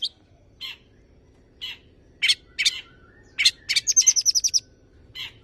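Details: Long-tailed shrike, tame caged bird, singing varied mimicry used as a prompt for other birds: scattered short buzzy notes, then a quick rapid trill of high whistled notes, and a final chirp.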